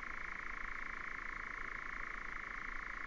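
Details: Continuous reeling churr of a European nightjar, 2019: rapid even pulses buzzing without a pause, slightly rougher with a low background rumble beneath.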